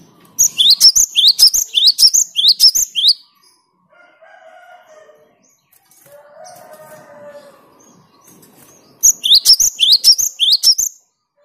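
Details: Cinereous tit, called gelatik batu or wingko, singing clear gacor song to rile rivals: long series of bright rising whistled notes, about two per second. Near the end a second run follows a lull with soft low calls resembling distant crowing.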